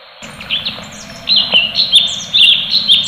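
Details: Tembakan-style song of an orange-bellied leafbird: after scattered opening chirps, a fast series of loud, high whistled notes repeats more than twice a second, each a sharp downward flick.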